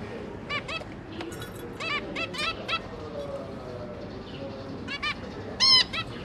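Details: Zebra finch pair with three newly hatched juveniles during feeding, 5 September 2022; scattered short nasal, honking call notes, some in quick pairs, over a steady low background hum.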